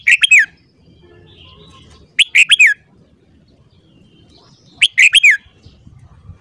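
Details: A red-whiskered bulbul in morning voice training gives three short, repeated phrases of four or five bright, slurred whistles, roughly every two and a half seconds, with near silence between.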